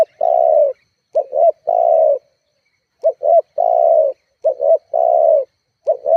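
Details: Spotted dove used as a lure to provoke rivals: long, steady, slightly falling coos alternate with pairs of quick short notes in a brisk, repeating pattern with no other sounds.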